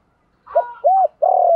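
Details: One brief spotted dove phrase in the rural 'giọng đồng' style, given in the morning to lure other doves: a soft low note, a rounded arched coo, then a longer level coo.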